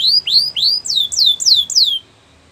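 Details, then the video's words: Belgian canary singing, kept to make other canaries sing: three rising whistled notes followed by four loud descending slurred whistles, ending abruptly in near silence. "Special canaries to seduce all the canaries to make them sing | Belgian canary"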